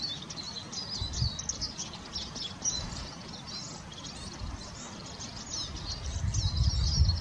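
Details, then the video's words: Eurasian siskin singing: a steady, high, thin twittering of quick chirps and short buzzy notes, rambling on without pause over a low background rumble that grows louder near the end. "Spinus spinus/ jilguero lugano/ Eurasian siskin"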